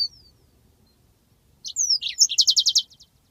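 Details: Yellow-fronted canary singing a long rolling song for a training recording: a thin whistled note, pause, then bright slurred whistles leading into a fast, evenly pulsed high trill of about eight notes.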